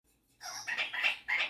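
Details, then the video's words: Pet male Superb Parrot, showing off singing and mimicking, gives a short run of hoarse, harmonic notes in three quick bursts after a person's excited speech and laughter. "Superb Parrot Malibu showing off his singing and mimicking skills"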